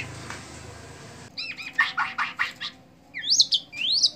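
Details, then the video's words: Bowing white-rumped shama from Indonesia singing a chattering burst of buzzy notes followed by sharp, high, upward-sweeping whistles, after a stretch of steady background hiss. "murai sujud"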